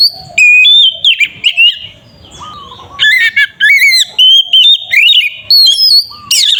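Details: Oriental magpie-robin singing aggressive lure song intended to trigger another bird: sharp whistled notes and slurs, a quieter stretch with low warbles, then rapid varied phrases with rising whistles, ending in a harsh buzzy note.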